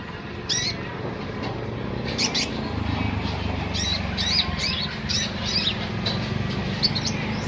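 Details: Konin, the olive-backed sunbird, singing energetically: bursts of high, twittering notes in rapid little runs, repeated several times, over constant low-pitched background hum.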